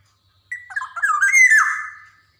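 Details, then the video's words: Black-naped oriole from Java, an energetic singer whose varied song serves as a master for young birds: a single rising and falling squawking phrase with nasal, wavering slurs that fades away. "SUARA PANCINGAN KEPODANG JAWA"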